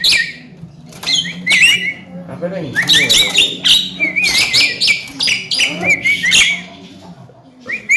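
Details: Noisy Javan myna, a young bird described as chattery and able to talk, utters scattered harsh notes and quick wavering whistles in uneven bursts, with a low hum in the background.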